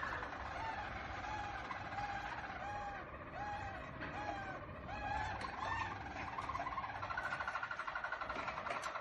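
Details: A Harzer Roller song canary sings soft, low, arched whistled notes repeated about every second, then higher rolling phrases, over a steady hiss of background noise.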